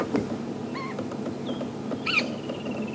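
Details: White-crowned Shrike at Djuma Game Reserve, South Africa, morning, 2 February 2016, one of three on a branch, begging rather than fighting: a few harsh, nasal, slightly rising calls, loudest near the end, with a thin trailing whistle over a steady background rumble.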